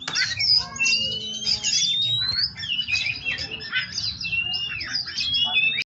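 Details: Captive white-rumped shama from a breeder in a rich, unbroken song of warbled trills, clear rising whistles and rapid chattering, loud and varied throughout, with a faint low hum in the background.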